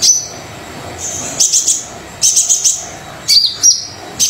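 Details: Brown-throated sunbird singing eagerly, used to trigger song in quiet sunbirds: thin high whistles and fast stuttering ticks in bursts of three or four, separated by pauses under a second.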